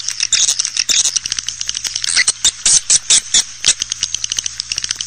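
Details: Lure sound for drawing swiftlets into a bird house: fast, high chirping and clicking in a steady stream, with several louder sharp chirps in the middle, over a faint hum.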